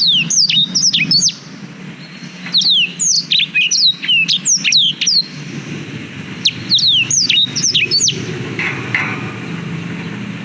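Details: Long-duration black-throated canary song for schooling canaries, GoPro Hero 5 recording: dense volleys of fast, piercing downslurred whistles, roughly four notes a second, in three main bursts, ending in faint background murmur.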